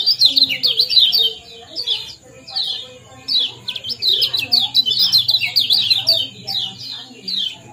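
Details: A powerful 'ciak-ciak' and 'jos' chirping combination from Common Iora, meant to stir breeding condition. Bursts of sharp, high, zigzag chirps are separated by brief pauses, over a faint low hum.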